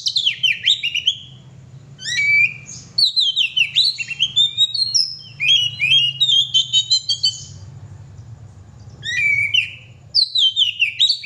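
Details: Long, loud song of a pet oriental magpie-robin: repeated bursts of rapid downslurred whistles and sharp chips separated by brief pauses, with varied mimic-like phrases in the middle; faint low rumble throughout.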